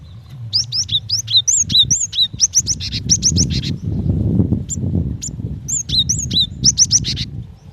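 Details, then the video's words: Female cinereous tit calling the male: a long string of quick upward-sliding whistles and hooked notes with short buzzy bursts, over strong low rumbling noise that swells midway. "Suara gelatik batu betina"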